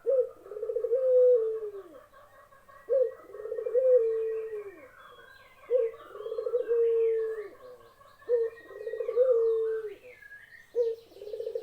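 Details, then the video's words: Dove giving soft, low, rolling coos, each swelling and then fading downward, repeated about every two and a half seconds in a quiet setting. "SUARA BURUNG PUTER YANG MENYEJUKAN"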